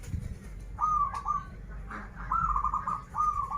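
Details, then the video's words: Singing zebra dove of local Banten stock, known for krital and warung kebek songs: three quick, bubbling, trilled coo phrases in close succession over a low background hum. "Perkutut lokal gacoran suara krital, warung kebek, dan suara aneh"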